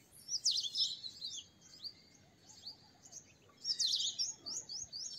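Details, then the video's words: Purple sunbird giving two quick bursts of high, thin, twittering notes with sharp rising and falling squeaks, separated by a short pause. "Purple Sunbird Songs - Purple Sunbird Sound - Purple Sunbird Call - Purple Sunbird Singing"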